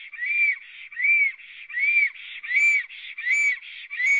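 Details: Black stork at its nest in Latvia, watched by a live nest camera on 9 May 2017 at 19:32 after arriving and singing a long song. Arched, whistled notes repeat steadily about once every 0.8 seconds, with breathy wheezy sounds between them.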